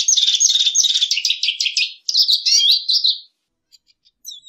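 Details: Lesser goldfinch (Spinus psaltria) sings a fast, jumbled run of high twittering, buzzy and chattering notes for about three seconds, ending in a few soft chips.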